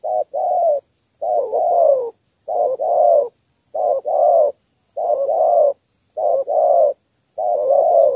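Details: Spotted dove's three-note thổ call, used to attract wild field doves. Close, fairly loud hoarse coos repeat in tight groups: a brief note leading into a longer wavering one, with short pauses between.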